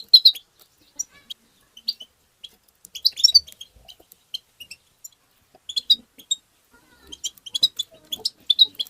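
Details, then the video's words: European goldfinch's twittering 'tabta', played to stimulate goldfinches: quick high chirps in irregular clusters, with quiet gaps and louder tinkling runs at the start and the end. "تغريد الحسون بتبتة مجنونة"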